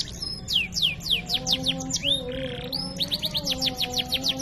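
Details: Canary singing vigorously in a master training song with fancy phrasing: fast series of loud descending whistled sweeps repeated in rolling trills, a brief buzzy note midway, over faint steady low tones in the background.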